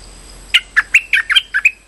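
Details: Streak-eared bulbul lure call used for trapping: a quick burst of about eight short, sharp chirping notes, alternating higher and lower, over roughly a second, with a faint steady hum behind.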